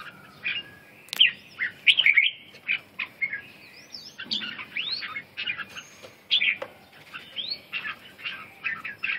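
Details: Red-whiskered bulbul singing: short, bright warbled phrases that rise and fall, delivered in quick bursts with brief pauses and a few sharp chirps between them. Faint background hiss.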